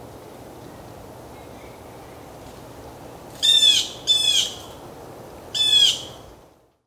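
Male Northern Cardinal giving three loud bursts of quick, down-slurred whistled notes over about three seconds, after a faint thin whistle, against a soft steady background hiss.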